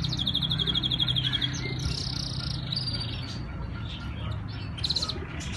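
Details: Canary in Islamabad, Pakistan, giving a fast buzzy trill and a short rolling phrase early on, then quieter scattered notes and a brief trill near the end, over a loud low hum.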